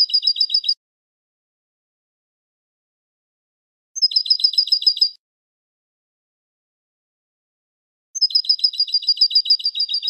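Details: European goldfinch song used to tutor young goldfinches: three short, fast trills of tinkling, buzzy notes, each about a second long and separated by roughly three seconds of silence.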